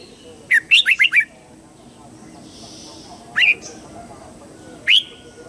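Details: Red-whiskered bulbul singing at dawn for voice training of young birds: a rapid run of five bouncy whistled notes, followed by two isolated sharp, rising notes a couple of seconds apart.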